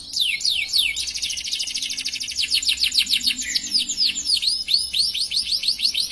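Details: Long 'gacor' canary song in the luxurious 'cengkok mewah' manner, with fast high trills and repeated downswept notes delivered in an unbroken, varied stream of about three notes per second.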